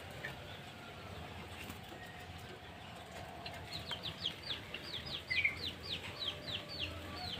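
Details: Sooty-headed bulbul in a mini aviary: after a quiet start, a rapid series of short, high, down-slurred chirps repeated about three times a second over a low steady hum.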